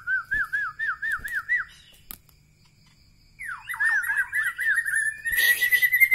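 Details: White-rumped shama, Medan Bahorok type, giving quick looping whistles repeated several times a second, a silent gap, then a rising sweep into a longer rolling series with a brighter, richer burst at the end.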